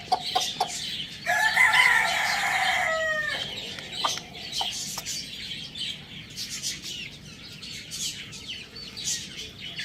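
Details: A pet rooster kept with hens, chicks and budgies gives a loud, harsh crow of about two seconds, a strained buzzy note that ends in a falling slur, followed by scattered high budgie chirps and clicks.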